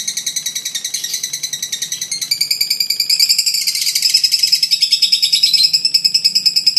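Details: Long ngekek call of a fighter lovebird, played to lure baby lovebirds: continuous shrill rattling chatter, rapid even pulses, rising in intensity midway.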